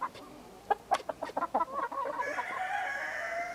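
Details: Partridge-coloured Araucana chickens: a quick run of about eight short clucks, then a longer, drawn-out, harsher call held to the end.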